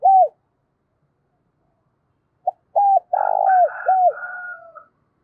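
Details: Spotted dove cooing in the morning to call its flock: a short mid-pitched note, a pause, then a phrase of clipped coos, a long purring coo and a falling final coo, overlapped by a higher, wavering second call.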